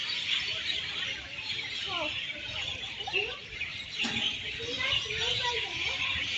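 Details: Evening chorus from a great many birds gathered high in a tree in Singapore, said to call all night; dense high chatter with scattered rising and falling whistled notes and a short click.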